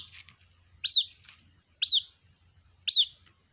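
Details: Calling for its mother, a white-breasted waterhen chick gives three piercing, downward-sweeping peeps about a second apart over a low, soft murmur.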